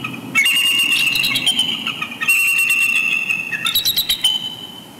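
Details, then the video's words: Bald eagles calling from very close by after dusk, Big Bear Lake, California, November 2020, a pair-bonding chortle exchange; shrill piping chatter runs almost continuously, rapid staccato notes rising and falling, ending in a fading series. "Love Chortles Galore After Dusk Visit"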